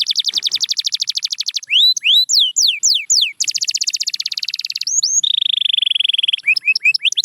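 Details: Canary song played to coax quiet canaries into singing: fast buzzy trills of repeated notes, then loud downward-sweeping whistled notes, a long rapid rattle and a steady rolling trill ending in brisk chirps.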